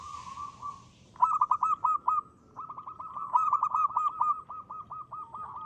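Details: Local zebra dove, frequent singer with a crisp ngristal voice, recorded as a lure: a soft sustained coo, then two clear runs of quick, evenly spaced staccato notes, the second longer and steady.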